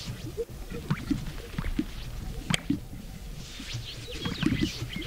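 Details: Greater sage-grouse strutting at a lek give soft, low, hollow pops and plopping notes, several birds overlapping, over a rustling, breezy background with faint higher chatter.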